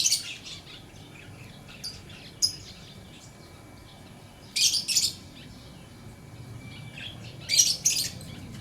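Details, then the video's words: Lovebird producing a few sharp high chirps, then louder shrill doubled squawky bursts spaced several seconds apart, with quiet hiss in the gaps. "Lovebird Chirping Sounds"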